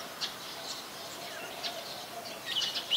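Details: Male and female brown-throated sunbirds recorded with a Nikon P1000 in Ubon Ratchathani, Thailand, on 3 January 2021: a few sharp, high chirps scattered through the clip, clustering toward the end over a soft background hiss.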